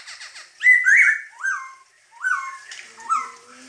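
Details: Loud, lively masked laughingthrush (poksay hongkong) song: a series of clear whistled notes, each slurring down after a brief rise, delivered in spaced bursts about every second, with a faint scratchy chatter at the start.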